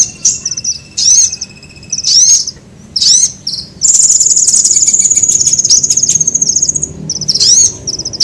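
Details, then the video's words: Lure recording of a sunbird for attracting birds: short, high, upswept chirp bursts about once a second, then a long, even, very high buzzy trill lasting roughly three seconds, followed by more chirps. "SUARA PIKAT KOLIBRI AMPUH"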